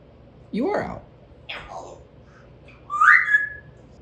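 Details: Pet talking African grey parrot practising words indoors in September 2024: a low voiced sound sliding upward, a brief breathy burst, then a clear whistled note that rises and levels off, with a person's speech nearby.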